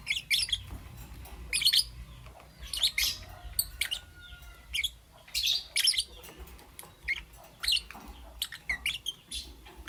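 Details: Green, yellow and lutino lovebirds chirping in the morning: separate clusters of high, scratchy chirps and squeaks every second or so, some thin whistled slides between them, against quiet room background.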